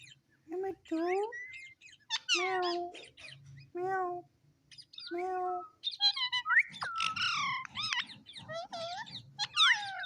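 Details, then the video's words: Pet parrot talking, repeating its name: a series of lower, throaty, speech-like syllables in a steady rhythm, then faster, higher chattering with sharp rising squeaks; soft background murmur underneath. "Mitthu Mitthu Talking Parrot"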